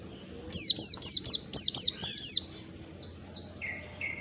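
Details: Oriental white-eye (pleci ngalas) song used as a lure to draw responses from other white-eyes: rapid high descending slurred notes in quick bursts, then fainter distant replies and a lower whistled phrase.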